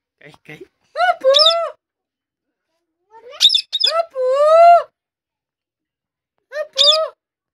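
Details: Talking pet parrot (tota, mitthu) speaking in a small room: clipped, voice-like syllables with bright harmonics, grouped into three bursts with a longer rising-then-steady phrase in the middle, separated by silence.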